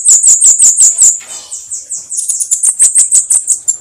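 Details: High-pitched 'canto de foguear' of the Bananaquit (cambacica, sibite, caga-sebo, mariquita): a run of sharp, thin, slurred notes, then after a moment a shriller, faster series at roughly three notes per second.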